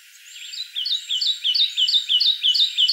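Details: Kentucky warbler recorded in May 2014 at the Land Between the Lakes, Kentucky. It gives rich rolling two-part phrases, about seven in a row, delivered evenly at roughly three per second, clear against a quiet background.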